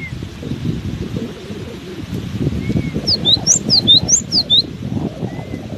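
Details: Cinereous tit keeps singing in strong wind, giving one quick run of about nine high, sliding, whistled notes late in the clip, with gusty low wind noise throughout.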